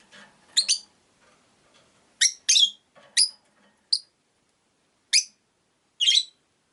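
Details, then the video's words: Five caged rosy-faced lovebirds beside a window produce a run of shrill, harsh high chirps in twos and singles, about eight notes spread over six seconds, with faint low rumble between. "Lovebird Chirping Sounds"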